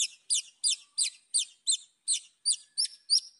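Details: Song of a white-rumped shama meant to provoke rivals: ten sharp, high downslurred notes repeated about three times per second.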